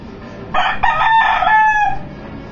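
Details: Rooster crowing once, a hoarse, harmonic crow of about one and a half seconds that rises and holds before it trails off, over steady background hiss.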